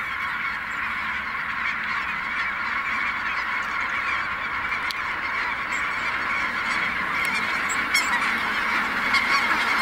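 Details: Snow geese taking flight at Merced NWF: a loud, even roar of countless overlapping honks, individual calls barely separable, continuing unbroken for the whole ten seconds.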